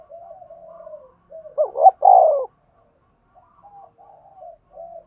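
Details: Decoy spotted dove cooing to lure wild birds to birdlime: steady soft coos around one loud wavering double note and a strong falling coo, then quieter short coos.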